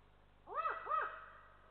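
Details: An adult Eurasian eagle-owl at its nest in Estonia on 7 December 2023 gives two quick, arched warning notes as a lynx walks by; the notes rise and fall in under a second over a faint low hum.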